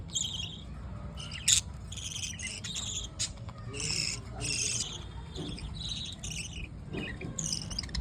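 Budgerigars chatter in quick, scratchy bursts of high chirps and squeaks.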